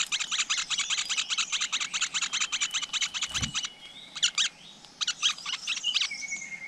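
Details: At a flowerpecker nest with chicks in the wild: a long run of sharp high chips, a low knock, then short bursts of chipping separated by quiet gaps and a level whistled note.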